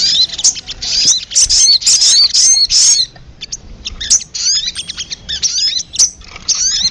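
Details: Sogon lure recording used to attract birds: bursts of high, sharp chirps and short downward-curving whistled notes, clustered irregularly, with a brief rapid trill near the start.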